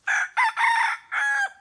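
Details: A free-range hybrid rooster in a Thai garden forest under trees, resting after feeding on an overcast day after rain stopped, gives a loud, hoarse crow in four connected bursts over about 1.5 seconds, the middle held longest.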